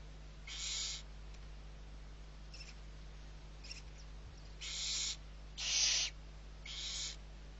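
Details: Six barn owl owlets being fed at Riet Vell reserve, Ebro Delta, Spain, 21 November 2023: harsh, breathy hissing screeches, each about half a second, coming in irregular bursts with longer gaps, over a steady low hum.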